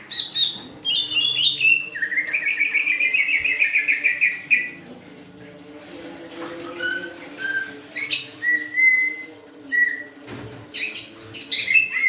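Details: Greater green leafbird from Kalimantan singing again after recovering from Newcastle disease; varied whistled and chattering phrases, a long warbling trill, then short sharp notes and clear whistles, with a steady low hum behind.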